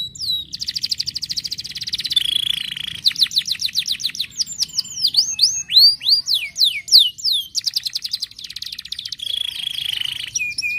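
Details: Long canary song used to stimulate singing in canaries: rapid buzzing rolls alternate with runs of repeated chirps and sweeping downward whistles, flowing continuously with quick changes between phrases.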